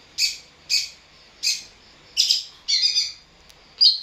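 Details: Long-tailed shrike calling right after being provoked: a run of loud, rasping, buzzy bursts, the first ones evenly spaced and the later ones longer and more chattering, with a quiet background.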